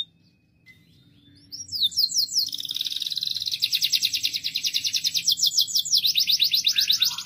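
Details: Loud canary song starting after a quiet second, building into long rapid high trills of repeated notes, one phrase shifting into the next with a faint low hum beneath.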